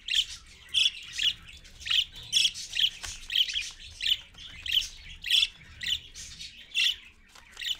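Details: Rose-ringed parakeet parent with its chicks at dawn, around 6:20 AM: harsh, high squawks repeated steadily about twice a second over a low background rumble.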